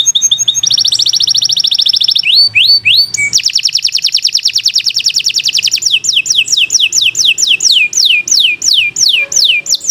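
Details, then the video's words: Canary (Kenari) singing a long, strong master song: short chirps, a dense buzzy trill, rising whistled notes, a second long fast trill, then repeated descending whistled sweeps. "Kicau Burung Kenari 142 II LUAR BIASA GACOR PANJANG Cocok untuk Masteran"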